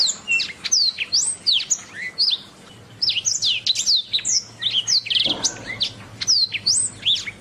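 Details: Canary master song for teaching other birds: dense series of bright, high upslurred and downslurred whistles, a quick rattling trill near the middle, in energetic continuous bursts.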